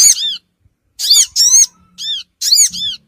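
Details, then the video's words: Sogon bird lure call: a few loud, high, chirping squeaks in tight pairs, curving downward, with short silences between, used to attract small wild birds. "suara pikat burung Sogon ampuh cepat ngumpul"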